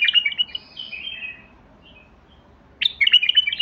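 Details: White-eared Bulbul, called Basrawi bulbul, opening with a rapid chattering run of bright notes that fades into soft slurred whistles, then a pause and another fast, bouncy phrase.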